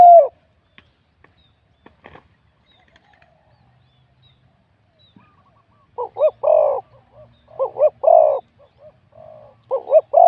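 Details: Spotted dove, a wild-born bird, scored 87 points in a singing competition; its voice is called middle-to-big in tone. After a near-silent opening, low coo phrases appear, each two short notes then a longer mellow coo, repeated several times.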